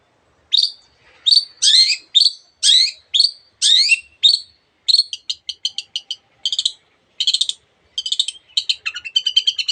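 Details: Long-tailed shrike singing energetically, its song packed with variations of other birds' sounds: high chirped phrases, then rapid buzzy pulses and short rattling trills, one bird dominant in a quiet setting.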